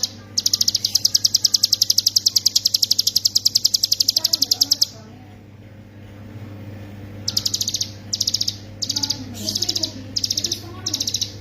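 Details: Hill prinia singing as a master recording for training songbirds: a long, fast, even train of high, sharp ticking notes for about four seconds, then a pause and short rapid bursts of the same high notes, with a low steady hum underneath.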